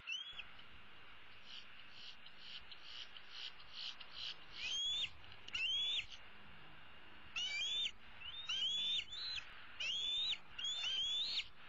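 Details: Bald eagle eaglet roosting in a tree in April 2016 and calling for her parents to bring food: quieter chatter at first, then loud high upslurred whistles in uneven bursts about a second apart.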